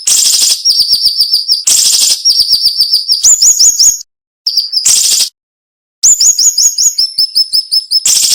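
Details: Sharp, tightly packed cinnamon-bellied flowerpecker song with short pauses, recorded as a tutor for training songbirds: repeated harsh buzzy bursts each followed by fast runs of high ticking notes and bright slurred whistles, with brief silences.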